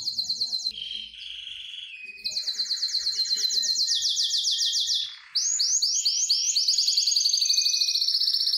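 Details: Aroused canary in mating mood sings a varied tour of rapid trills, shifting between high rolling phrases, a lower sustained rattle and bright repeated swoops, with short breaks between sections.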